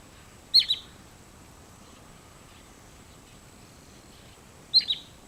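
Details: Wood sandpiper arriving early on autumn migration on 27 August: two short, high, sharp whistled calls, each a quick doubled note, about four seconds apart over steady faint background hiss.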